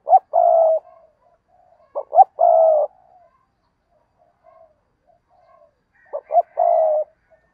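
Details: Spotted dove used as a lure for wild doves, giving a repeated cooing phrase three times, roughly every two to three seconds. Each phrase is one or two quick stuttered notes, then a drawn-out low coo, with faint softer coos between.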